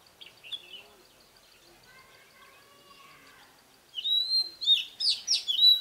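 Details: Red-whiskered bulbul decoy bird singing in the ché style to provoke rivals; after a faint rooster crow, a loud burst of sharp, quickly repeated whistled notes fills the final two seconds.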